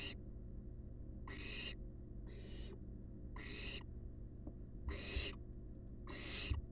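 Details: Resting wild barn owl nestlings inside a research nest box give six rasping, noisy hisses at uneven intervals over a constant low background hum.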